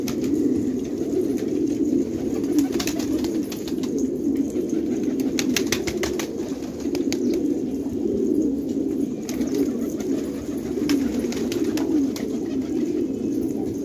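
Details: Long stretch of massed cooing from village fighting pigeons in Khanabad, Afghanistan, deep and continuous, with clusters of flapping wing beats rising above it.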